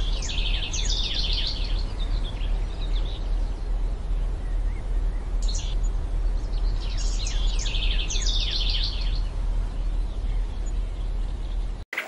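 A house wren gives two bubbly, tumbling songs about three seconds long, each a rapid cascade of high chattering trills, over a steady low rumble.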